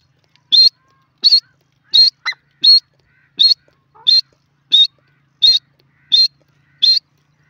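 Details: Francolin (teetar) calling: a steady series of about eleven short, sharp, high notes, one roughly every two-thirds of a second, with one brief lower note slipped in near the start; otherwise quiet.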